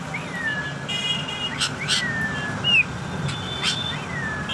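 An African grey parrot gives clear whistled notes, some sliding downward and one rising, mixed with sharp clicks, over a low background hum.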